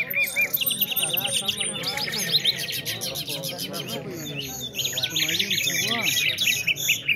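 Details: At a nightingale singing contest in Afghanistan, overlapping birds deliver brisk chirp series, looping slurred notes and high rattles. Nearby conversation is clearly audible beneath the song.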